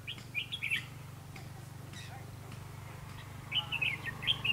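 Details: Red-whiskered bulbul fighting song from a trapping lure; brief bright chattering phrases open and close the stretch, with a quiet gap and a low constant hum beneath.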